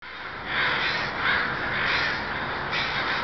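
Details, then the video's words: ['Crows arriving at a night roost at Still Creek, Burnaby, British Columbia, where about 20,000 or more gather; a dense, continuous chorus of harsh overlapping caws swelling in waves.'] "Crows arriving at Still Creek roost in Burnaby BC"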